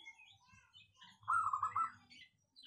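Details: Single phrase from a local zebra dove prized for a crisp, dense voice: a half-second run of quick, bubbling coo notes at steady pitch, with soft higher twittering around it.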